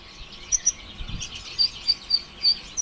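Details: Sunbird lure song in the 'konslet' style, meant to draw out song from other sunbirds: a string of sharp, high, thin chirps at an even pace, with one brief low thump.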